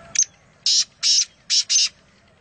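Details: Black francolin roaming free in the wild near Nawabshah, Pakistan: a short harsh note followed by four loud, buzzy, high-pitched rasping notes in two pairs, over a quiet background.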